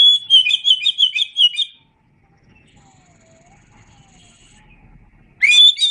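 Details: Oriental magpie-robin song for training songbirds: a rapid run of loud, repeated whistled notes for almost two seconds, a long near-silent gap, then a new upward-swept whistled phrase.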